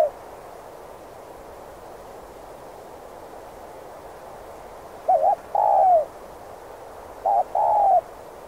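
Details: After several quiet seconds, a spotted dove (cu gáy) used for luring wild doves into traps gives two 'thúc gù' phrases: a short wavering note and a longer falling coo.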